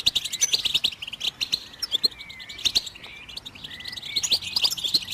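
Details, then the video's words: A goldfinch sings to stimulate other birds: clear separate tinkling notes and short trills bounce along in quick bursts, with a few sliding whistles and scattered clicks between them. "How do you make your bird goldfinch song in its first minute ?"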